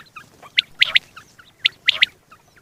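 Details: Male quail alone, calling at morning or night during hunting. Two rapid bursts of short, piercing high notes, each a tight cluster of two or three clicks, about a second apart, over faint background hiss.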